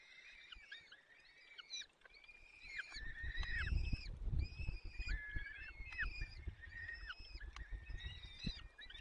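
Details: At a peregrine falcon nest, Barycz Valley, Poland, on 30 April 2020, the male feeds the chicks while the female is away. A run of wavering, squealing calls that dip at their ends, with low thumping and rustling underneath.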